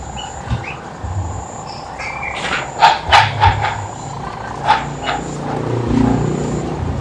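Horsfield's babbler gives a few short, loud whistled notes, three in quick succession and then one more, over steady traffic and engine rumble.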